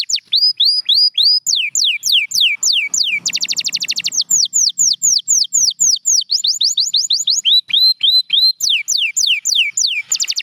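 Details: Champion canary singing varied tours: arched whistles repeated in runs and falling slurs. A brief dense buzzy roll with faint low noise breaks the song before the whistled phrases resume.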